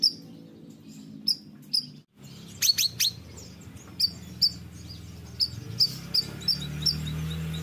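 A small songbird gives sharp, high chirps and quick downslurred notes in irregular bursts about every second, over a low steady hum.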